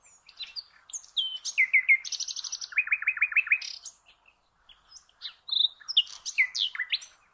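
A common nightingale sings rich, varied phrases: rapid repeated chirps, a run of loud throbbing notes and sharp whistles, broken by a brief pause.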